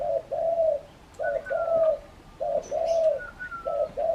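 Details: Spotted dove calling very actively outside its cage: deep, soft cooing phrases, each a short note followed by a longer drawn-out coo, repeated steadily, with a thin descending whistle and faint high chirps from other birds in the background.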